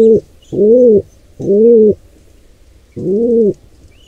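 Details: Three deep, smooth pigeon coos with a pause before the last, recorded as an intruding pair attacks a wild nestling squab; a faint high squeak at the end.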